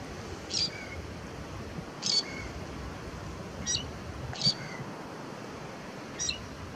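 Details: Lesser grey shrike (Lanius minor) singing on Fuerteventura in 2018: short, scratchy chattering bursts with thin high squeaks, about every one to two seconds, over a steady background hiss.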